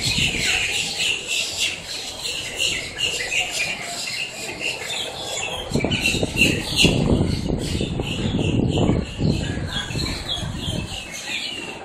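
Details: Blackbirds squawking noisily together in Miami, Florida, recorded up close: a constant mass of high, scratchy calls and chatters, with bursts of low broadband noise in the middle.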